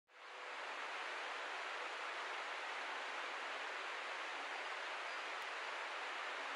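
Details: Steady broadband rushing noise, like a stream or waterfall, with no animal calls.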